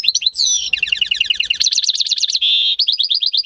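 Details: European goldfinch × canary hybrid, home-bred, singing in May 2015: a whistled glide opens into fast undulating trills, a sustained buzzy note and further rippling twitters, loud and unbroken.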